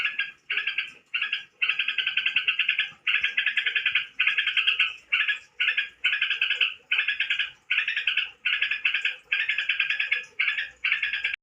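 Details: Song of a tame crokcokan: a run of about fifteen raspy, pulsing bursts, each under a second, separated by short pauses over eleven seconds, strong and clear without background noise.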